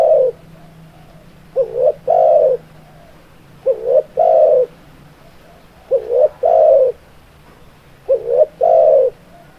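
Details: Spotted dove cooing: low, soft phrases of a short double-note followed by a longer drawn-out coo, repeated about every two seconds, against a faint steady hum.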